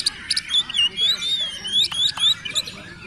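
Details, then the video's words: Oriental magpie-robin, kacer, in konslet-style song: a continuous stream of high, thin whistles sliding up and down, cut by sharp crackling bursts, over a steady noisy hiss. "Kacer Gacor konslet"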